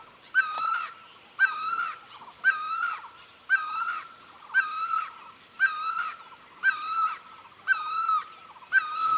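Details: A great barbet (Psilopogon virens) calling for a mate gives loud, mournful two-part notes, a short upward note then a wavering wail, about once a second, over a faint hiss.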